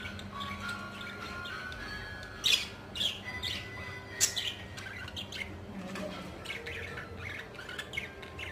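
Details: Pet budgerigars being hand-fed give sharp, scratchy chirps and squawks in short bursts over a soft background hum.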